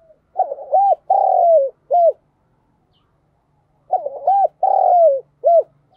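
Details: Decoy spotted dove singing in the thổ voice style to call in wild doves: a phrase of clipped coos, a long descending coo and a short closing note, given twice about three and a half seconds apart with silence between.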